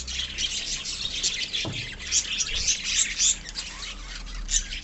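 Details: Busy warbling of a budgerigar colony, quick high twittering notes tumbling over one another without pause, with a soft thud partway through.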